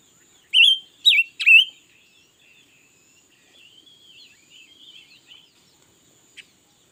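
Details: Red-billed leiothrix, said to sing all day, in 2021. Three loud, quick, slurred whistles open the phrase. They trail into a long run of quiet, chattering warbles and end with a faint click.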